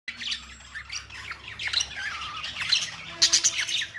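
Budgerigar chirping in a busy, scratchy stream of high squeaks and short warbled notes.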